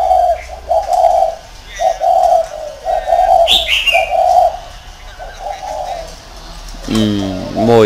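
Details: Spotted dove used as a decoy, kept in a round cage in Vietnam. It gives a series of deep, hollow coos. A brief higher chirp cuts in midway, and a rasping, buzzy sound comes near the end.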